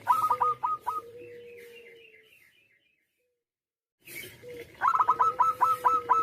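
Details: A zebra dove of local stock delivers a bubbling, staccato coo followed by a long, low fading tone, then a short silence before another stronger, fast run of rolled notes.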